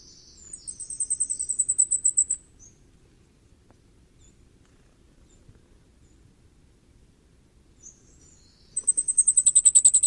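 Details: Two bursts of common firecrest song about seven seconds apart, each a rapid series of high, needle-thin notes rising in volume. A long quiet gap lies between them.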